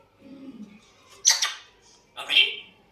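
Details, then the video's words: African grey parrot, a talking bird, giving two loud sharp bursts of high whistled sound about a second apart after a soft low murmur, in a small quiet room. "Always whistling and trying to talk, African Grey Parrot"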